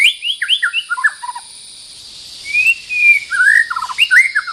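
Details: White-rumped shama, the territory's owner, singing quick bouncing whistles and a short trill, a pause, then long rising whistles and a fast rattling run, over steady high insect noise.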